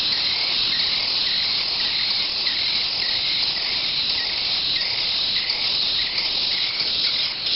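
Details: Chimney swift nestlings from a nest taken into a rescue center, keeping up a continuous loud, rasping buzz with slight rhythmic pulsing throughout.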